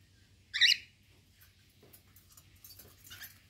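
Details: A male cockatiel gives one loud, harsh screech while shouting at his mother, followed by faint clicks and rustling.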